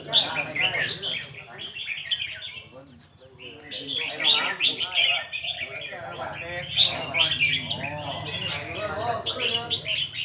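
Red-whiskered bulbuls pour out bubbly, chattering whistled phrases that overlap almost nonstop, several birds at once, over a steady low hum.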